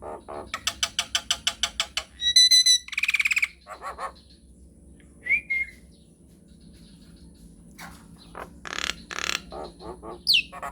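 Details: Nias hill myna singing long rolling phrases to draw answering song: a rapid series of clicking notes, a buzzy rattle with whistled overtones, a brief slurred whistle, scattered harsh bursts and a final falling whistle.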